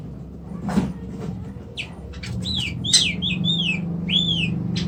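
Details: Oriental magpie-robin (kacer) in Indonesia whistling a series of clear arched notes that rise and fall, some repeated, mixed with a few clicks, over a steady low hum.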